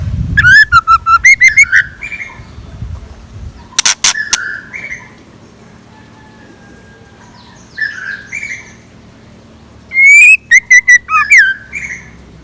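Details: Scarlet minivet singing in the morning, a decoy recording: short bursts of loud, clipped whistled notes, some rising and some dipping, in quick runs of four to six, separated by quieter pauses with softer chirps.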